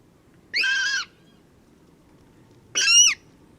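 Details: Water Rail at very close range, about 5 m behind a bush, in spring at Domaine de Graveyron, Audenge, France, giving two harsh pig-like grating squeals, each about half a second long and roughly two seconds apart, over a quiet background.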